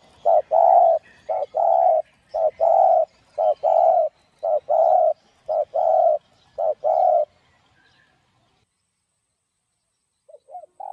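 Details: Spotted dove giving the driving 'gáy thúc gù' cooing used to stimulate caged doves. A steady series of about eleven short, full coos comes roughly every half second, then stops. A new phrase begins at the very end.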